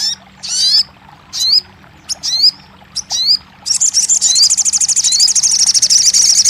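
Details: Crested jay sound meant to prompt a quiet bird to start singing: a series of sharp, descending whistled chirps in pairs, then a long, fast, high-pitched mechanical rattle.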